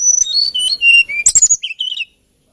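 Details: Melodious song of a hill blue flycatcher, known in Indonesia as tledekan gunung: a quick, continuous run of high whistled notes sliding down in pitch, then a brief twittery flourish and a final warble.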